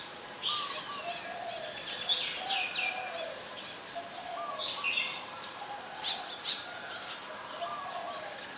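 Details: Ashy Woodswallow, a very common resident, recorded at Ubon Ratchathani, Thailand, on 20 October 2021: harsh, buzzy call bursts scattered irregularly across the clip, over a bed of lower, softer whistled notes and steady background hiss.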